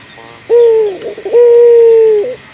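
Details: Local collared dove (burung puter lokal) cooing, a lure recording played to prompt other doves to call: two long, steady, low hooted coos, the second stretched past a second, with a short rough note between.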